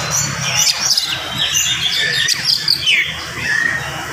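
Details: Energetic morning song of an oriental magpie-robin, delivered fast and tightly packed to stir up other males: sharp whistled slurs and chirps rising and falling in quick succession over a steady low rumbling hum.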